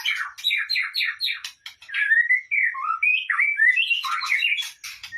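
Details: White-rumped shama song used to lure or trigger singing: rapid buzzy trills at the start give way to a flowing string of rich, varied whistled phrases, some dipping low, ending in dense chattering notes.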